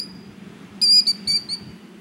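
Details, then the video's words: Female plover sitting on a nest of four eggs at Birch Bay, Prince Albert National Park, Saskatchewan, in the evening, trying to scare intruders away: four sharp, high whistled notes in quick succession, each slightly falling, over a low steady rumble. "Plover Protecting Her Nest"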